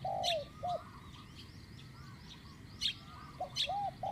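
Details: Spotted dove calling during decoy luring, medium-pitched coo style: a few hollow arched coos at the start and end, separated by a gap, with crisp high ticks from another bird and faint rumble.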